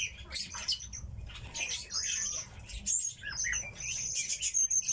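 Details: Tits kept by their owner, giving sharp, high tweets and brief twitters. Some notes are drawn out into thin whistles, with scattered fluttery sounds.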